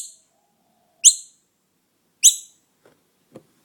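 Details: Orphaned noisy miner fledgling in human care uttering sharp high chirps about every 1.2 seconds, followed by a couple of soft low knocks or taps.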